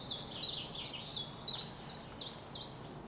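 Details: Chiffchaff, a migrant come from Africa, singing from a treetop on a misty spring morning as rain begins: a steady run of eight high, slurred notes about every 0.4 seconds, each dropping sharply in pitch, over faint background noise.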